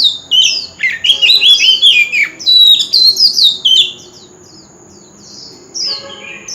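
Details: Oriental magpie-robin singing a wild forest-style lure song used for singing contests: loud, rich, varied whistled phrases with rapid slurred notes and sharp chirps, delivered in a steady run, then a pause before a quieter phrase resumes.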